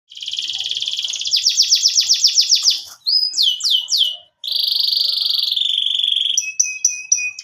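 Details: Canary in breeding condition, wanting to mate, singing a varied high song: a fast buzzy trill, a run of repeated rising notes, then swooping slurred notes, a long rolling trill and short sharp chips.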